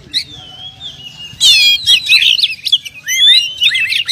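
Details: Champion contest oriental magpie-robin with a record of wins: a long thin whistled note, then a burst of harsh scratchy notes and fast looping whistles, ending in bright rising slurs; faint low hum behind.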